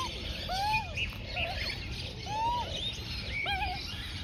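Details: Young Australian magpie, about 4-5 months old, begging while its mother feeds it rolled oats and wombaroo; scattered arched nasal notes and faint higher chirps over steady low background noise.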